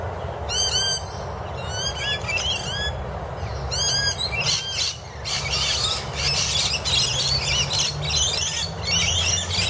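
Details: Several rainbow lorikeets squabble under a camphor laurel tree in Annerley: quick bursts of sharp, high chirps give way to continuous harsh, grating screeches, over a low background rumble.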